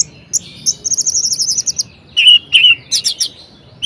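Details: A kept orange-headed thrush sings a varied, energetic song meant to excite quiet thrushes: high chips, a fast trilled rattle of repeated notes, then louder slurred whistles and scratchy high bursts.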